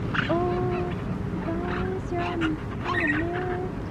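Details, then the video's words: Lesser flamingo chicks at a bird rehabilitation centre, rescued after being abandoned in a drought and now over a month into care, give soft, drawn-out whistled peeps, some wavering or rising, in an overlapping steady chorus under people talking. "Flamingo chicks make the cutest noises when washing their faces!"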